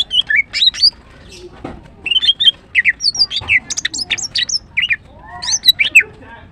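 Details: Female greater green leafbird, known locally as green cucak, singing in the morning: a busy run of sharp, high chirps and slurred whistles, rising and falling, delivered in quick bursts with brief gaps between phrases.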